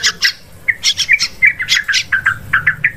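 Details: Yellow-vented bulbul hunting lure calls for forest, rice field and plantation use: a quick series of short bubbly chirps, repeated roughly every fifth of a second, with a few harsher notes at the start.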